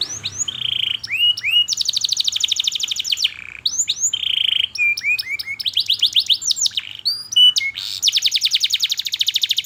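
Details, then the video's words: Canary lure song for training young canaries: looping upslurred whistles alternating with dense buzzy trills and flat whistled notes, repeated in phrases of a few seconds. "KENARI GACOR PANJANG Cuit Cuit EMOSI, Pancingan Kenari Paud Belajar Bunyi"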